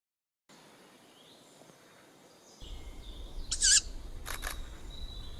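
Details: Juvenile tawny owl giving a single hoarse, broadband screech after a quiet start, followed by a couple of short dry clicking bursts over a low background rumble.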